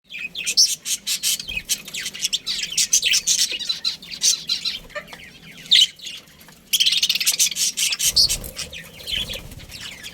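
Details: Budgerigars in a colony with a breeding pair, chattering constantly in high, dense chirps and warbles, many birds overlapping with short bursts of louder squeaks throughout.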